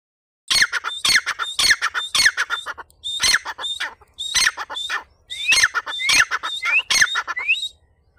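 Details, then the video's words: Black francolin gives harsh, grating squawks in quick runs of about eight notes, broken by brief pauses, some notes ending in a rising squeak. "teetar ki awaaz"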